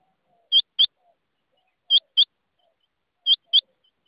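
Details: Rain quail calling: high, sharp paired notes, each pair a quick double 'whit-whit', repeated about every 1.4 seconds three times against a quiet background.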